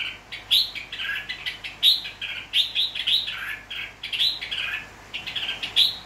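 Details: Red-whiskered bulbul, wild-caught in Nghệ An, Vietnam, and tame with people, recorded 29 April 2024, delivering a lively, almost continuous run of sharp, bright chirping phrases that rise and fall quickly.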